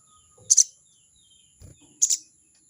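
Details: Crested jay giving its 'crecet' call to challenge a rival: two short, harsh, buzzy double bursts about one and a half seconds apart, over a steady high whine and a faint low knock.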